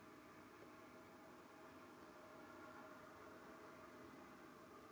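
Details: Even, hissing mechanical noise like a passing train, with no animal sound.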